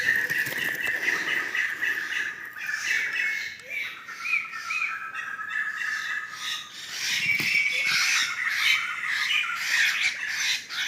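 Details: A flock of wild laughingthrushes in Sumatran forest gives harsh, noisy chattering bursts that come in uneven waves, over a steady high-pitched background tone and a few faint short notes.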